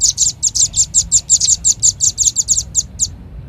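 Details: Red-billed leiothrix lure recording: quick, evenly paced high chirps, some paired, about sixteen notes over three seconds before falling silent.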